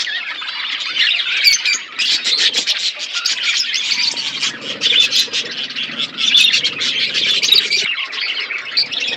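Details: Pet budgies in a flock eating food and chirping, a steady unbroken mass of high twittering and squawky chatter from many birds at once.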